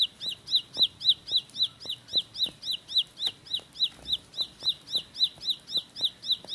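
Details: Rapid roll-style song of a bar-winged prinia (ciblek pari): a regular string of bright, rising high notes, roughly four each second, some slightly uneven in spacing, over occasional faint low clicks.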